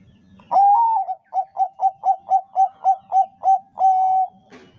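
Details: Zebra dove, Bangkok type, singing as a lure for other doves: a rising opening coo, about ten short mellow coos in regular rhythm, then a sustained final note.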